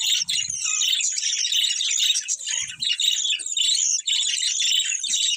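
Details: Colourful budgies chatter nonstop in a dense, high twittering chorus of overlapping chirps, with a couple of soft low knocks.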